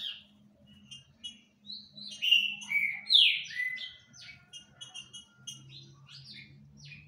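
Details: Green-winged saltator singing a lot: loud whistled phrases of sliding, slurred notes mixed with shorter chirps, phrases coming in irregular bursts over a faint low hum.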